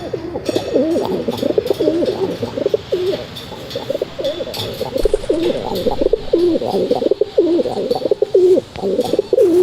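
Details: Pigeons cooing in a steady run of low, throaty, rolling coos repeated about once a second, several overlapping, with faint clicks and rustling in the background.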